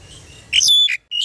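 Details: Caged myna, kept a long time and able to talk, calling the flock: a loud, shrill whistled note with harsh overtones, a short gap, then another piercing rising whistle over faint low hum.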